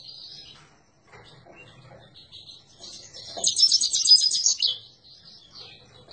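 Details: Himalayan goldfinch song, starting with quiet chips and short notes, then building into a loud, fast, rattling trill around the middle. It ends in softer twitters over faint background clicks.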